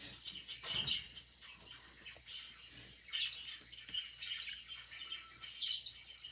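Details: Budgerigar at its food, giving a soft ongoing warble of high chirps and twitters in loose phrases, with a short low rustle near the start.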